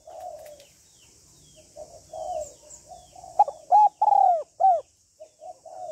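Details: Female spotted dove urging a male with the 'hạp bổi' call set of calling, urging and cooing: gentle low coos building to a loud, ringing phrase of three to four arched notes, then soft coos again.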